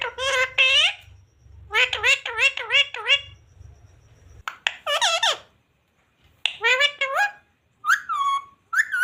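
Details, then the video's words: Talking parrot mimicking mummy, papa and radhe radhe in a small room: bursts of shrill, speech-like syllables in quick series, with a low hum in the background for the first few seconds. "Parrot talking mummy papa talking radhe radhe राधे राधे बोलने"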